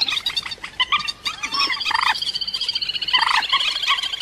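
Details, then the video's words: Rail used as a trapping lure: dense run of rapid, high, nasal notes with harsher louder bursts, calling almost without pause. "Tiếng cuốc biển chuẩn"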